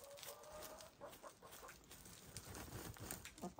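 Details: Several hens, grey, lavender, blue and black, dust bathing and throwing dirt; a soft, level, tonal note held for about a second rises faintly above steady scratching and rustling in the dirt, with brief clucking sounds.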